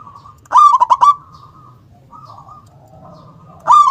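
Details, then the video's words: Local zebra dove, a frequent singer with a big, punchy 'kung' tone. A loud stuttering coo phrase of four quick pulses trails into soft, level coos, and a second loud phrase begins at the end. "perkutut lokal gacor suara besar nyentak KUNG power kencang"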